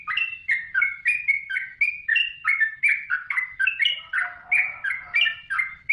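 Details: Trucukan, or yellow-vented bulbul, singing energetically: liquid, chattering two-part notes that step up and down, repeated rapidly and evenly, with a soft lower whistle briefly joining near the end.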